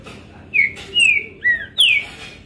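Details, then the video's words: Short phrase of four loud whistles from a kept green-winged saltator: a downslurred note, a long falling whistle, a lower curved note, then a high falling one, with faint clicks between. "Trinca ferro zero um mostrando oque sabe fazer!"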